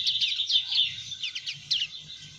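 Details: Papuan black-fronted white-eye, a protected species, giving its call, described as louder: a fast run of high, thin chirping notes, about six to eight a second, over a faint low hum.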